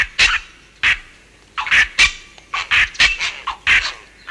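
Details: Grey heron in Kent giving harsh aggressive calls at close range: loud, rasping, croaking squawks in short bursts, about ten in four seconds, some doubled, over faint background.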